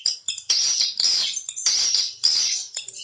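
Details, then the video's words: Swiftlet calling sound, tested in swiftlet nesting houses to draw birds in: loud, high, rasping chirps that come in dense bursts about half a second long, separated by short gaps. "Suara panggil walet"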